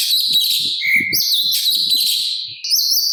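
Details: Sooty-capped babbler in full song with harsh filler phrases, meant for teaching songbirds. A continuous stream of shrill, buzzy chatter overlaps thin whistled notes, ending in a fresh burst after a brief dip, with soft low thumps beneath.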